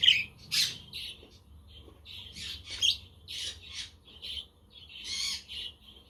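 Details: Pet budgies chirping on a breezy, sunny day, a quaker and conure nearby: a string of short buzzy chirps and squeaks, irregular, each phrase a fraction of a second, with a faint low rumble.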